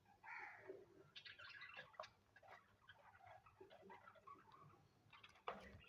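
Cockatiels give soft, scattered chirps and short warbled notes, mixed with faint clicks and taps.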